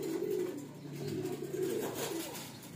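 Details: Flock of loft pigeons kept for flying: two bursts of low, rolling cooing, one at the start and another near the middle, over a steady low hum and soft rustle.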